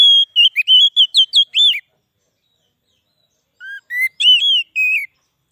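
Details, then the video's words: Song of an Oriental magpie-robin (kacer), meant to attract wild birds in forest and stir up magpie-robins: a fast phrase of ringing whistles, a pause of nearly two seconds, then a shorter phrase of rising and falling notes. "suara burung kacer cocok buat pikat burung kacer di huta liat dan cocok buat menaikan emosi kacer"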